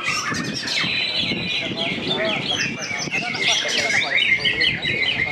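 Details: White-rumped shamas in a fierce fighting contest at Cibinong, singing rich, fast overlapping phrases of whistles, slurred sweeps and sharp chips. The phrases pile up densely over low background murmur.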